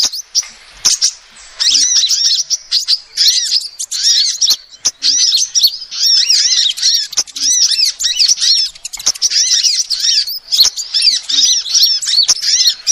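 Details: Female sunbird calls meant to attract birds as a lure: after a quieter start, long runs of sharp, high arched chirps pour out in busy, chattering bursts separated by brief pauses.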